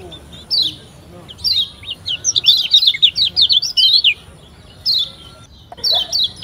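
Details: A Lombok lemon-bellied white-eye (Zosterops chloris) sings a fast, high twittering run of sweet chirps in bursts. Brief pauses fall between phrases, over a faint background hiss.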